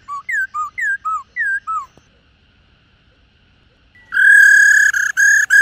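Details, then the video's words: Female laughingthrush giving its 'rò' call, used to stir caged males into song: six short down-slurred whistled notes in quick pairs, a pause, then a loud harsh nasal drawn-out call broken by brief gaps. "Tiếng chim Khướu Mái"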